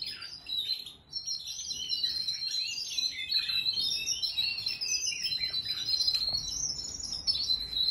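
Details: Young canary, four months old, kept in a canary room. It delivers a long, unbroken, high-pitched warbling song with fast trills, chatter and sliding whistles, over low background hum.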